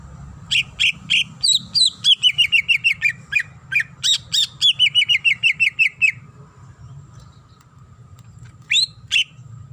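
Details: Varied song of a greater green leafbird, female calling the male, with long rapid series of high chirping notes that step down in pitch, a pause, then a couple of loud sharp notes at the end.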